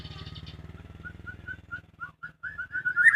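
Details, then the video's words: Captive white-rumped shama kept at home gives a series of short, clear whistled notes that grow louder and end in a bright rising flourish, over a steady low mechanical hum. "suara merdu burung muray batu rumahan"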